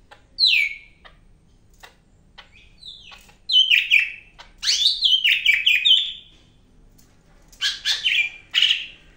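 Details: Greater green leafbird from Medan in energetic song: bursts of descending whistled slurs and sharp chirps, a long run of stepped falling notes around the middle, then more downward-swooping phrases after a pause.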